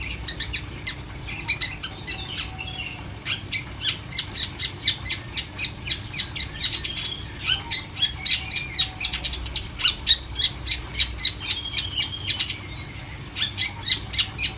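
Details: Long-tailed shrike, caged and uncovered, pouring out a long steady stream of short, sharp high chips, roughly four per second, with occasional brief whistled slurs mixed in.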